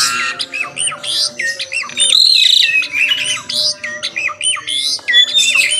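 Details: Jalak suren, the Asian pied starling, in lively morning song: fast runs of looping whistled notes mixed with scratchy, chattering squawks, delivered almost without pause.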